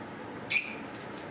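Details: A parakeet, one of two, lets out a single brief, piercing high screech against a quiet background.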